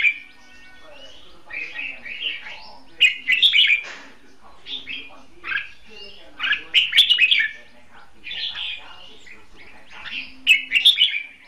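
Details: Caged red-whiskered bulbul serving as a trapping decoy, repeating lively warbled phrases of quick whistled notes in bursts about every two seconds, with faint background noise.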